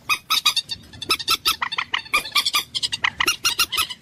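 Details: Common moorhen giving a rapid run of harsh, nasal clucking notes, about four per second, each a short rich burst, with slight pauses between groups; no other sounds stand out.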